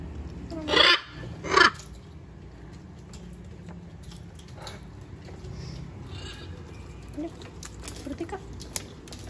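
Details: Wild macaws on a balcony give two loud, grating squawks less than a second apart, followed by quiet with faint rustling and distant clicks.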